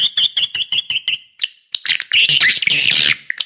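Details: Swiftlet call used as a lure for swiftlets: a quick run of about six evenly spaced, bright, ringing chirps, a brief gap, then a dense, buzzy burst of twittering.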